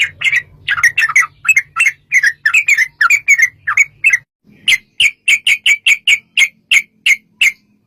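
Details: Lure recording of a sooty-headed bulbul in lively 'gacor' long 'ropel' song: a dense stream of warbled chirps, a brief pause, then a crisp series of evenly spaced, sharper notes, over a faint low hum.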